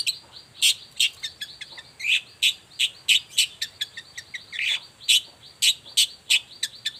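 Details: Long-tailed shrike singing energetically in the morning as a lure to make other shrikes answer: a fast series of sharp, bright chips and short buzzy notes, about three per second, with steady quiet background.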